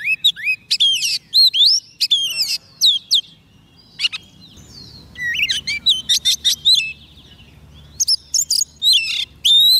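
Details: Oriental magpie-robin, kept on soft food, sings to draw in wild birds: quick runs of high, slurred whistles and chirps in clustered phrases, a pause midway, then more loud varied whistling ending in a clear rising note.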